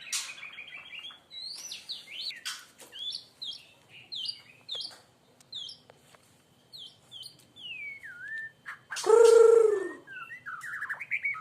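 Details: Young white-rumped shama of the Aceh type, singing in the 'hormat wasit' style: a quick run of varied whistled notes and downward-sweeping slurs, several per second, ending in one loud, rich, harmonic note near the end.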